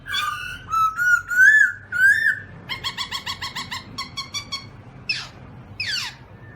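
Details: Black-throated laughingthrush opens with rising whistled slurs, then a fast, regular chattering series of harmonic notes, and closes with two sharp squawky sweeps over faint background hiss.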